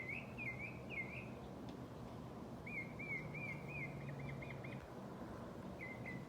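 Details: Noisy birds calling outdoors: wavering, warbled whistled phrases, a run of quick looping notes in the middle and a short pair at the end, set against a constant low hum of background noise.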